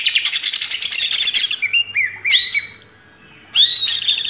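A greater green leafbird sings a dense, high chattering burst, then clear whistled notes and a rising sweep before another rush of rapid chatter.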